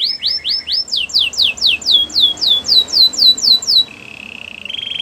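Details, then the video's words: Canary singing to prompt a quiet canary to sing again: a run of about ten sweeping, downward-slurred high notes repeated about four times a second, then a short buzzy trill and a rising trill. "Your canary is quiet? Will sing again after listening to this"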